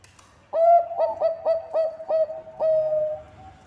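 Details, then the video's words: Zebra dove of the Bangkok type, a keen singer used as a lure for other birds. It gives a quick series of seven ringing coos at one pitch, closing on a long sustained coo. "Perkutut bangkok gacor suara cocok untuk pancingan"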